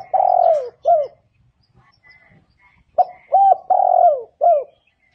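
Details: Spotted dove: the clip opens at the end of one phrase, with a long falling coo and a short note. After a silent gap, a complete four-note phrase follows: short, hooked, long descending and short coos.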